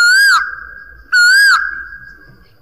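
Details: Loud ringing whistles of an Asian koel, two calls each arching up and falling away with a long trailing echo, with faint low background noise.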